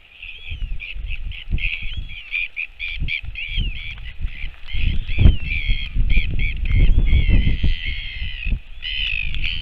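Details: Northern royal albatross recorded on 28 July 2024 as an adult returns to feed its chick; a run of harsh, harmonic squealing calls repeats in quick bursts over heavy wind rumble.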